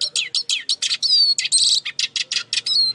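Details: Eurasian siskin song, a dense run of quick chirps and scratchy twitters broken by a drawn-out whistle and a wheezy buzzing note, delivered continuously at high pitch with little background noise.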